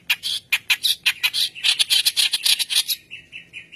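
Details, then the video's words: Vigorous white-browed reed warbler song, recorded as a training lure: a dense, fast run of harsh, squeaky, rasping notes lasting about three seconds, ending in a thin sustained whistle. "Keras Basi Alis Putih Gacor Pancingan Bahan"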